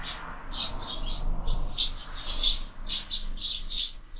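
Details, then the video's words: Lively morning chatter from sparrows at a window feeder: loud, overlapping chirps run almost without a break, rising and falling in bursts. "Воробьи в кормушке - утро всегда бойкое"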